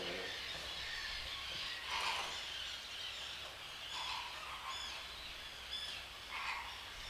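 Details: Flock of 44 greater flamingos feeding in summer at Racó de l'Olla, l'Albufera, give harsh, goose-like honks in short bursts about every two seconds over steady hiss, with thin high chirps of small birds.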